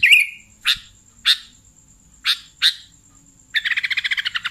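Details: Sooty-headed bulbul call used as a bulbul-catching lure: a warbled slur, then well-spaced harsh buzzy chirps, closing with a quick rattling series of pulsed notes; faint high tone in background.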